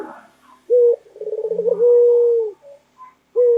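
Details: Loud local white collared dove, a pet bird, giving a rolling series of rapid pulsed notes that runs into a long, steady, low cooing note, with a short coo starting again at the end.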